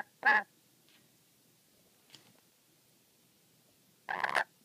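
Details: Angry captive black-capped lory giving two short, rasping squawks four seconds apart, with a faint scratchy sound between them in a quiet room.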